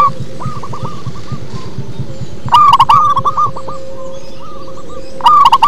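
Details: Local zebra dove singing in a deep, bassy style: short series of rolling, stuttered coos, the loudest phrases near three and five seconds, fainter coos between, over a steady low rumble.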